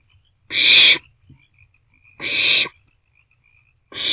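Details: Barn owl chicks feeding together in an owl box at night, 27 March 2024; two long breathy screeching hisses and the start of a third, spaced under two seconds apart, background otherwise quiet.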